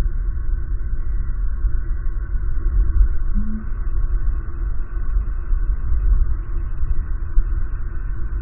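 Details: Low steady rumble and droning hum fill the recording, with faint tonal bands higher up and no animal calls.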